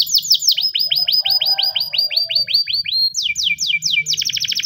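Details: Morning training song from a Spanish timbrado canary: sharp downward whistles, a steady series of evenly spaced falling notes, then faster sweeps and a quick rattling trill at the end; low hum beneath.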